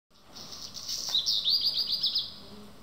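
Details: Black redstart singing in early morning at Schwerin railway station: a thin, scratchy, high-pitched run of rapid notes rising and falling over steady background hum.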